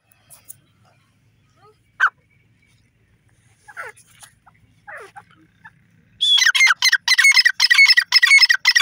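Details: Grey partridge calling in a forest: a few scattered, scratchy notes, then a loud run of harsh, grating, rapidly repeated rasping calls over the last few seconds.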